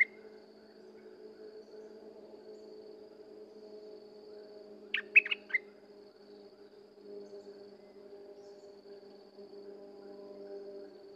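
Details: Single brief phrase from a sooty-headed bulbul: a few quick, bright, whistled notes midway. Otherwise only a low background hum.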